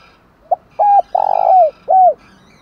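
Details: A spotted dove's cooing, used to provoke and lure wild doves: a short low coo, then three fuller hooting coos, the longest one slightly rolling and dipping at the end.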